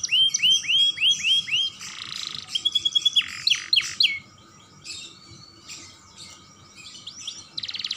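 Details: Young canary singing actively, used as a lure to stimulate other canaries: a run of five quick rising-falling whistled notes, then a harsh buzzy burst, chattering trills and a closing rapid buzzy roll.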